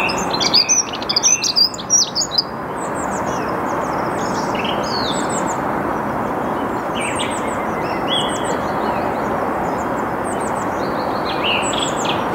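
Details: Dunnock singing in the early morning, 8 March 2022 at 08:55, Saarn-Mendener Ruhraue, Mülheim an der Ruhr, Germany; a rapid, jumbled high twittering warble lasting about two seconds, then a Song Thrush's separate repeated phrases over a steady low rumble.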